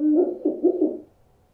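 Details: An owl hoots in a quick series of about four short, pulsing notes in under a second, then falls silent. The sound is meant to scare birds.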